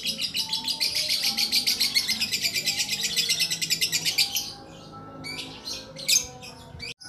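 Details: Lakbet bird in long song: a sustained rapid trill of high pulsed notes for about four seconds, then a pause and a few scattered sharp chirps.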